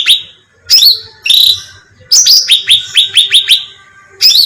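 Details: Cucak ranting bulbul calling in a bait recording meant to attract birds: a few loud harsh chirps, then a rapid run of about eight bright, evenly spaced notes, and a final harsh burst.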